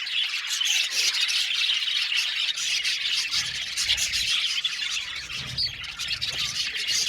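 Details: Budgies in a colony aviary squawking and chirping steadily, a dense, raspy high chatter that barely dips across the whole stretch.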